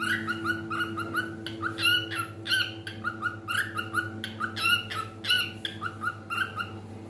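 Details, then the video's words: Indoor pet cockatiel in full song: rich, buzzy, harmonic chirps and squeaky warbles in uneven bursts with short gaps, some louder notes standing out, against a constant low hum. "Adorable Cockatiel Milo's Cute Singing Moments"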